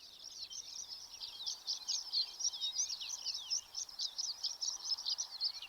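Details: Horned larks broadcasting tinkling songs from all over pre-dawn wheat fields edged with prairie, Chouteau County, Montana, 5 June 2025: a rapid, jumbled stream of thin chips and twitters without pause over faint low background noise.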